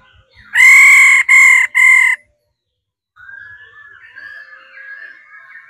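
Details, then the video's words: Female laughingthrush calling to stimulate males to sing: three loud, nasal, harmonic-rich notes in quick succession, then a pause and a soft, rambling warbled chatter in the background. "Khứu mái ro quá đỉnh kích trống căng hót hay"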